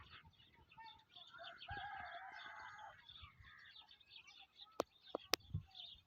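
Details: True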